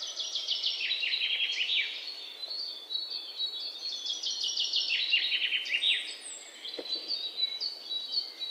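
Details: Several Alexandrine parakeet chicks, 19 May 2023, keep up a near-continuous stream of high, rapid, descending chirps in overlapping runs, with a brief louder click partway through and light background noise.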